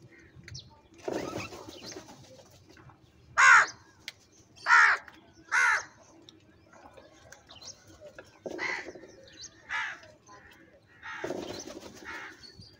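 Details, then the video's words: Crows fighting over food, giving harsh, raspy caws in short bursts: three loud, rough caws close together, then softer caws spaced about a second apart and a longer hoarse call near the end, over a low steady hum. "Different kauwa ki awaz - Crow bird live Crowing sounds | Crow bird Fight for Foods"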